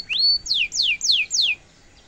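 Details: Domestic canary in lively full song, kept for tutoring young and adult canaries: a rising whistle held steady, then four loud descending sweeps repeated about every quarter second.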